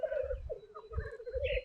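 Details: Black grouse (Lyrurus tetrix) at a 2025 lek before dawn, still dark: rival males face off in jousts, giving a steady, throaty bubbling murmur that rises and falls, with brief harsher notes and low thumps throughout.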